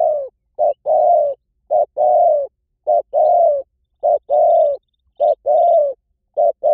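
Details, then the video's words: Spotted dove calling as a decoy lure meant to draw wild doves in quickly in any forest: low hollow coos in paired phrases, a short note then a longer falling coo, repeated about once a second, no other sounds. "เสียงนกเขาใหญ่ หมานๆ ต่อเข้าเร็ว ป่าไหนก็เข้า"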